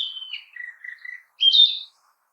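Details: In a forest, a Narcissus flycatcher sings a descending series of whistled notes that settle into three lower warbled syllables, followed after a pause by a loud, rich, slightly buzzy high flourish; no other sounds intrude.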